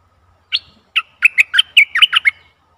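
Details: Bulbul song from a decoy bird luring a wild, very old bird: two spaced opening notes followed by a lively, tumbling series of seven sharp, warbled chirps.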